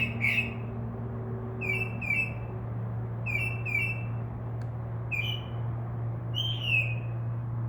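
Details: Northern mockingbird singing at night from a tree outside a window, a mimic that copies crow caws and other sounds: clear whistled notes, each slurred and given in pairs, repeated every second or so over a steady low electrical hum.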